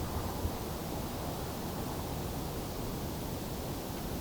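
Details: Steady broadband rushing noise, like wind or distant surf, fills the recording without any calls.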